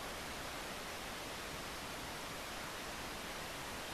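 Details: Steady broadband hiss fills the recording at dawn in Mt Field National Park, with no animal calls heard.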